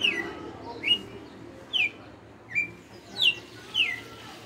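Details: Red-cowled cardinal, a caged five-year veteran, giving its 'açoite' song: bright, slurred descending whistles spaced about every 0.8 seconds, six phrases, with soft low hum beneath.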